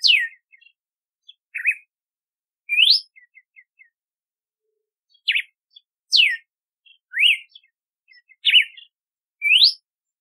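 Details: Rapid series of about nine whistled phrases from a red-cowled cardinal, or galo-de-campina. Falling sweeps, upslurs and wavering notes are separated by faint soft ticks.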